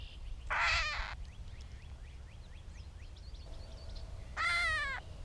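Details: Two loud, nasal, cat-like mews from a gray catbird in Bowdoinham, Maine, 16 May 2020, about four seconds apart, the second slightly falling, with soft chattering of other birds in between.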